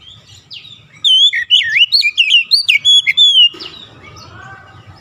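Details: White-rumped shama singing, used to provoke other shamas into song: after soft background, a burst of fast looping whistles and chirps for about two and a half seconds, then low rumbling noise.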